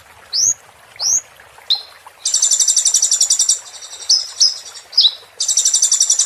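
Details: Sunbird song used to train caged songbirds: a few loud rising whistles, then dense high buzzy trills mixed with short swooping notes, ending in another shrill rattling trill.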